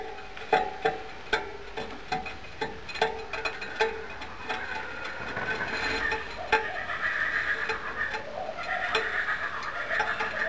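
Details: Laughing kookaburras (Dacelo novaeguineae) cackle in the background, a rising, choppy chorus of hoots that builds in the second half, over sharp metallic taps and workshop clatter.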